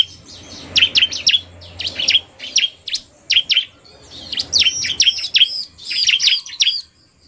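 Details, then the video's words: Bar-winged prinia, a combination of a narung-style male and a female singing fast: sharp high chirps in quick bursts, some paired with arched whistled notes, pausing briefly between phrases. "Kombinasi Suara Ciblek NARUNG dan Betina Cepat"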